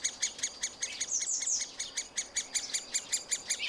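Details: Middle spotted woodpecker young fed by parents at a tree-hole nest, recorded on a Panasonic FZ 2000: steady harsh repeated notes about two and a half per second, overlaid midway by higher thin squeaky chirps.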